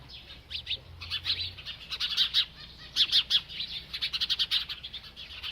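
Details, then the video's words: High, crisp chirps from a feeding bird, at first spaced, then quickening into a rapid run of sharp tweets toward the end. "This Happy Bird Won’t Stop Eating and Chirping"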